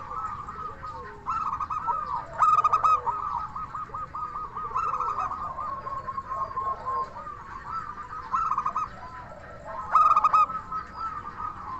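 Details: Lively local zebra dove singing in its crystal voice to provoke other doves into answering; repeated loud phrases of fast stuttering coos with sustained endings, spaced a few seconds apart, over a murmuring crowd of other doves.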